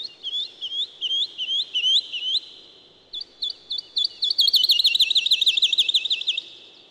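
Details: Woodlark song: high, clear whistled notes delivered in fast descending series, each phrase a string of repeated slurred notes, ending in a rapid, rolling trill of evenly repeated notes, with no other sounds audible.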